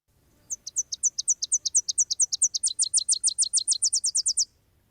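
Tennessee Warbler singing a high, dry, staccato chatter of about 25 sharp notes, a slower opening series breaking into a faster, louder run; only faint low hum beneath.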